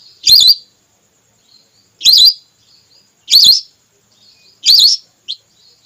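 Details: Female whistling duck call played as a hunting lure: four loud, high, wavering whistled notes repeated about every 1.3 seconds, with faint thin whistles between them.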